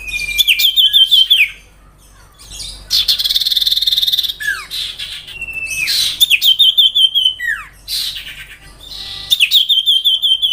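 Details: Sirtu in energetic song, used as a master recording for training other songbirds: high rapid trills repeated in bursts, a long buzzy high rattle, and sharp falling slurred whistles between phrases.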